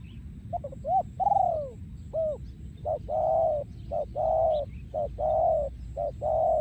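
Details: Breeding male spotted dove, 2023, in โยนคูอ่าง song: opening stuttered notes and a falling coo, then a run of short paired notes alternating with steady held coos about once a second, over a low rumble and faint high chirps.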